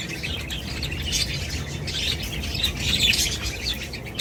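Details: Steady chorus of many budgerigars, overlapping high chirps and chatter over a broad low rumble of background noise.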